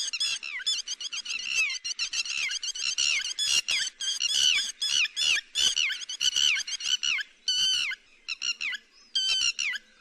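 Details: Net-trapping lure call of the yellow-wattled lapwing: dense, urgent runs of short, sharp, down-slurred notes for about ten seconds, broken by a few brief pauses and separate loud notes.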